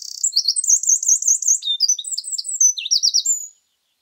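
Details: Song of a Eurasian wren recorded in mixed woodland in Scotland, ending abruptly: quick, very high wavering trills and sharp chips run together at speed for about three and a half seconds.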